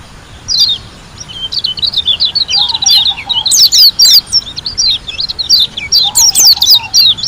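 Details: Song of a white-eye from Lombok: a long, rapid stream of high chirps and sharp down-slurred whistles, about four notes a second, building in intensity, with a soft low trill in the background.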